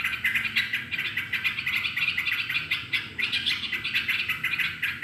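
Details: Lively yellow-vented bulbul song meant to coax other birds into singing: dense, continuous run of sharp chirping notes pulsing several times a second without pause, steady low hum beneath.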